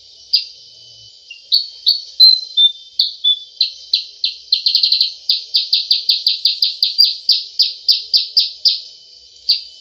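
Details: Sooty-headed bulbul, energetic 'cep cep' lure call: a few spaced high chirps and short whistles, then a fast rattled burst and a long, even series of sharp chirps at about three per second, ending with one isolated note.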